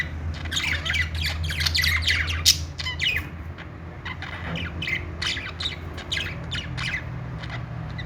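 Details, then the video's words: Several pet budgerigars chirping happily, a busy stream of rapid squawky chirps and warbles, high and overlapping, with a low steady hum underneath. "cute budgies making happy sounds.budgie call sound."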